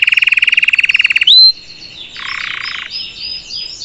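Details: Salsa canary teaching its young to sing: a fast pulsed trill, a rising whistle, then a softer lower buzz and quiet high slurs.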